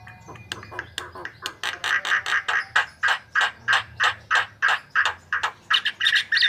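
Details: White-vented myna singing gacor style as a lure, a steady, insistent string of harsh, rasping chack notes repeated roughly three per second, growing louder and more even through the phrase.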